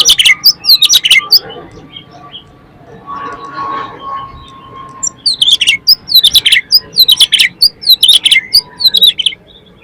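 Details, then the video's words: Oriental magpie-robin (kacer) lure song: rapid sharp high chirps and whistles in dense bursts, with a lull of low murmuring background noise in the middle. "PANCINGAN KACER BOCOR ALUS ‼️ NGEPLONG BIKIN GAIRAH KACER LAIN CEPAT BONGKAR ISIAN"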